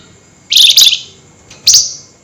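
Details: Common flameback at night giving agitated nyerecet chatter: a harsh, grating double burst followed a second later by one more short scratchy rattle, all high-pitched and dry.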